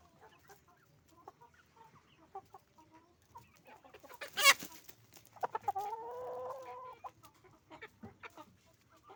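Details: Farm chickens, roosters and hens, calling: sparse clucks, then a sharp broadband burst, followed by a drawn-out wavering cackle lasting over a second, then more scattered clucking.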